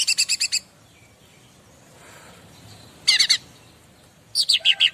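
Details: Bar-winged prinia used as master song to make other birds reply: three bursts of rapid, high, ringing chip notes, the first and last about five or six notes each, with a quiet lull between.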